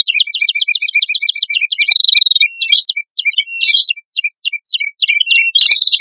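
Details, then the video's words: A prinia pair, male and female, in lively song used to lure birds: a rapid run of sharp high ticking notes, over three per second, then more varied chirps and short trills. "Suara Prenjak Kepala Merah Jantan Dan Prenjak Kepala Merah Betina Gacor"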